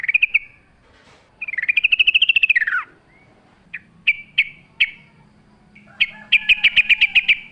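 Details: Sooty-headed bulbul singing in natural surroundings, wild-style song: bubbly warbled phrases, a long rising-then-falling fluttering run, then short separate notes and a quick closing burst of clear repeated notes.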